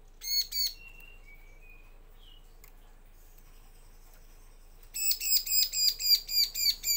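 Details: Two grating notes and a few thin wavering whistles, then a long rapid chatter of about nine rasping notes from a bar-winged prinia, a lure to make male and female answer.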